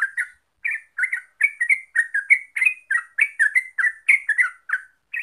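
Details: Trucuk, the yellow-vented bulbul (Pycnonotus goiavier), on a lure for getting birds to sing rapidly: quick chattering series of rich, warbled two-part notes, tumbling up and down with hardly a pause, background otherwise quiet.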